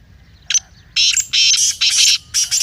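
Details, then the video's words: A black francolin calls in a recording played to wake a captive francolin's chakri calling. One short note is followed by a long, rough, rasping phrase of joined harsh syllables, ending in a clipped pair of notes. "Kala Teetar masti aur chakri k liye behtareen awaz/Black Teetar Voice"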